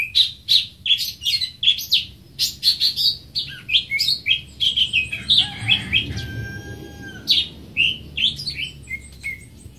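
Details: A greater green leafbird repeats sharp, high chip notes about three times a second, then continues with more varied whistles, while a long, steady crowing tone passes behind in the middle.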